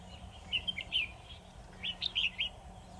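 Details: Red-whiskered bulbul decoy bird in a trap singing two short bright warbling phrases of rapid whistled notes, with a low steady hum behind.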